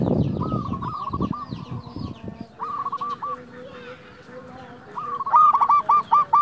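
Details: Local zebra dove (perkutut) with a big voice, sung to stir rivalry and breeding drive in other doves; three bursts of quick stuttering coos, the last loudest, after some low rumbling noise at the start.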